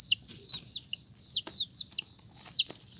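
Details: Multicoloured chicks call with high, downward-sliding peeps in uneven clusters, over a low murmuring background with occasional taps.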